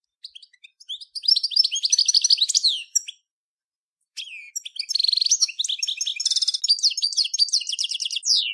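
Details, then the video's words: European goldfinch of the Major form, praised as a top singer, recorded in 2014: rapid, bright twittering song of high, buzzy and tinkling notes, delivered in two dense bursts separated by about a second of silence. "صوت الحسون الأصلي - Stieglitz Major Beste Gesang - Le roi du chardonneret"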